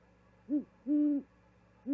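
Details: Low owl hooting on an osprey nest live cam in Charlo, Montana, February 2022, as the bird brings a vole to its mate: a brief hoot followed by a drawn-out steady one, with another hoot beginning at the end.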